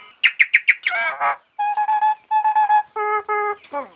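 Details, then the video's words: Nias hill myna song for training cage birds: four sharp chipped notes, a harsh descending rattle, then a series of rich nasal, evenly held notes in pairs, ending with a falling scratchy call. "materan suara burung jalak nias"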